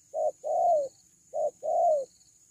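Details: Loud call of a cuckoo, named kuku locally: two pairs of low hoots, each a short note followed by a longer one that drops in pitch, against a quiet steady hiss.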